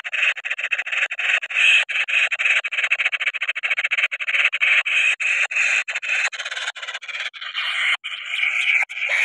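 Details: Noisy, easily angered kingfisher chick, wild, giving harsh, buzzy rasping calls in a rapid, almost unbroken series of pulses, with a slight shift in tone toward the end.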